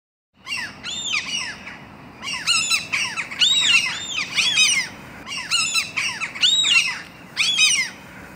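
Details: Gulls nesting on the exhaust pipe of a five-storey apartment block, chicks walking on the roof; loud arched, ringing cries in repeated bursts, several overlapping, about once a second with short pauses.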